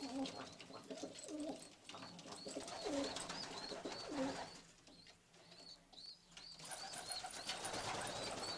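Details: Pigeons of the Istanbul type with pale (çakır) or red eyes: a few deep, bubbling coos over the first four seconds, then a run of thin, high, repeated chirps from other birds.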